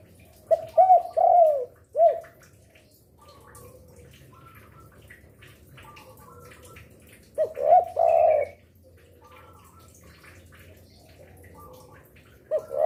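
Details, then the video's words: Spotted dove used as a lure, singing by day and night: two spaced coo phrases of hooked and drawn notes, with long gaps of faint twittering from other birds and a low background hum. "Derkuku gacor rajin bunyi siang sore malam cocok untuk pancingan"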